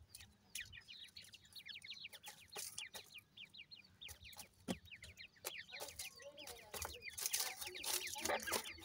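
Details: Francolin chicks from this season's brood giving rapid high cheeps, dozens of short falling notes per second, mixed with loud clicks and hissy noise bursts toward the end.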